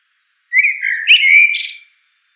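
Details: A single common blackbird song phrase: a rich, sliding whistle that wavers and climbs, then finishes in a brief scratchy, high-pitched flourish.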